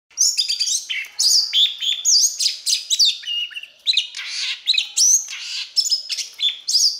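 Oriental magpie-robin singing a rich, varied stream of high whistles, sweeping slurs and scratchy notes in quick, unbroken phrases.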